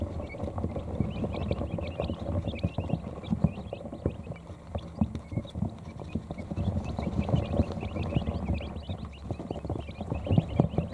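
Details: Brooder of quail chicks just hours old gathering beneath a heat plate to rest; a steady chorus of many short, high, thin peeps overlapping continuously, with constant low rustling and tapping from movement.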